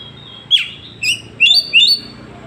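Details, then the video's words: Oriental magpie-robin 'tembakan' phrases from Woncoyo village, Trenggalek, Indonesia, Android recording: a harsh rasping note, then three loud short upslurred whistles in quick succession. "Tembakan kacer paling di cari sekali bunyi langsung bongkar"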